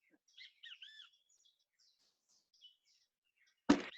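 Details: Great kiskadee in built-up San José, Costa Rica, gives a quick run of bright, slurred, arching notes in the kis-ka-dee pattern, then fainter scraps; chickens in the background and a sudden loud thump ends it.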